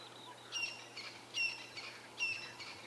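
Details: A group of Arrow-marked Babblers along a cleared fire break during a sunrise safari gives harsh, rasping, overlapping raucous chatter in bursts roughly every second, with a faint low hum behind.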